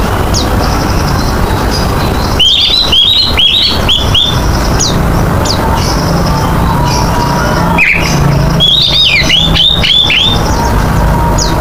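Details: Oriental magpie-robin in full, lively song, offered as a lure to set other birds singing: two bursts of rapid, sharp whistled notes that rise and fall, separated by pauses, over a constant low rumbling hiss.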